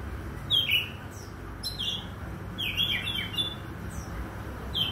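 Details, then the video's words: Oriental magpie-robin singing in the morning: short, bright, downslurred whistled notes and sharp high chirps in quick, irregular bursts, with a steady low background rumble. "KICAU KACER DI PAGI HARI"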